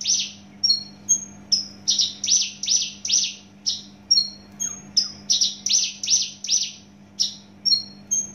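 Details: Javan bush lark of Javan origin, caged, singing a fast series of sharp high descending chirps and short whistles, about two notes per second, over a steady low hum.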